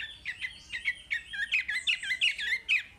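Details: Lively Chinese hwamei song used as training audio for young caged hwamei: a fast, continuous string of short, varied chirped and slurred notes, about four to five a second, bright and high, with a faint low background hiss.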